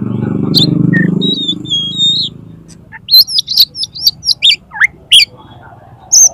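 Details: Konslet-style oriental magpie-robin song used to make a rival open its tail: a low murmur and a few whistles at first, then a rapid run of sharp, varied chirps and down-slurred notes.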